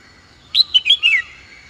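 A Red-whiskered bulbul gives a quick run of four bright, liquid notes, the last slurring downward, against a faint steady background hum.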